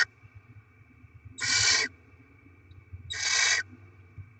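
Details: Barn owls feeding chicks after rodent deliveries on 7 February 2024: two drawn-out, breathy screeching hisses about 1.7 seconds apart, with quiet low rumbling between them.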